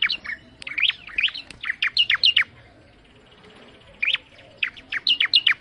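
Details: Bar-winged prinia song: bursts of sharp, rapid chirped notes sweeping between low and high pitch, delivered in quick runs with a short pause before a second burst.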